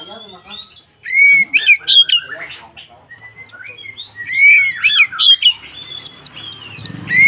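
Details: White-rumped shama in fighting song to provoke rival shamas: energetic mix of loud arching whistles, rapid chips and harsh squawky notes, nearly continuous over several seconds.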